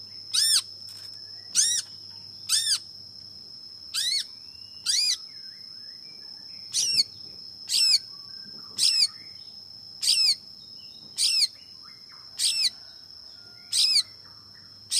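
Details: Long-tailed shrike giving sharp, harsh chirps that sweep downward, repeated about once a second with short gaps, over a steady high whine and faint low hum.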